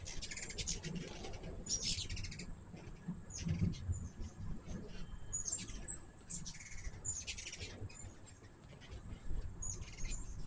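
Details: Several hummingbirds visit a feeder, giving repeated very high, sharp chip notes and brief squeaky twitters in irregular bursts through the recording, with constant low background hum beneath.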